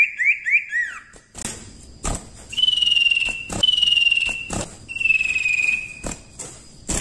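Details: Common Iora in active song for training songbirds: a few quick upslurred whistles, then three long drawn, slightly falling whistles, broken by loud sharp clicks and taps.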